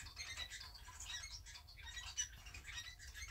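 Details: Two pet society finches kept at home, huddled close together while preening after bathing, give short high chirps and thin squeaky notes scattered through the clip over soft rustling and a low background hum.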